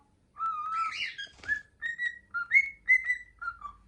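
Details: Pet male cockatiel, hatched around February 2022, still learning to whistle the children's tune "Hato Poppo": a run of clear, sustained whistled notes shifting up and down, one brief noisy rustle-like burst midway, indoors.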